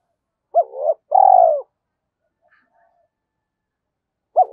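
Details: Spotted dove coo used as a lure: a brief note and a long rolling coo, then silence until the next phrase starts at the very end.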